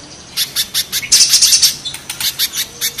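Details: Harsh spiderhunter song from a mountain spiderhunter versus banana spiderhunter comparison. Shrill chips speed up into a half-second buzzy trill, then slow again to spaced, piercing notes.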